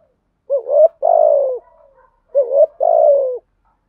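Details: Spotted dove with deep 'thổ' voice giving structured stimulating coos: two close phrases, each a quick rising note followed by a long buzzy coo that droops at the end, loud and clear against silence.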